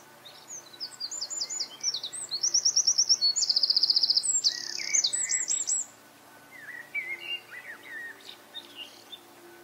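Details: Eurasian wren delivering a loud, very high song of fast, varied trills and rattling note series for about six seconds; afterwards other birds chirp and whistle more softly at lower pitch.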